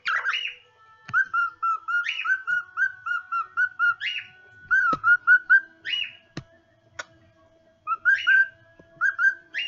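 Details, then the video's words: Caged pet cockatiel singing a chain of clear whistled notes in short phrases, some with sharp upward flicks, broken by pauses and a few sharp clicks or taps. "My Tiel Singing"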